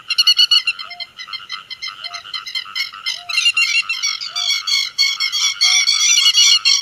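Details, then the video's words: Grey-headed lapwing calling the flock. Strident, rapidly repeated notes build from moderate to loud, dense chatter, with a faint short beep recurring roughly every second. "Tiếng Chim Te Vàng Gọi Bầy"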